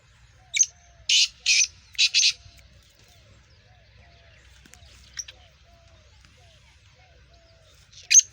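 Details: Nasal speeder-voiced black francolin, a Sindhi kala teetar of Gangas Sheedi cross, utters a sharp squeak and two pairs of coarse grating notes, then after a pause of several seconds occasional faint squeaks and one more sharp note.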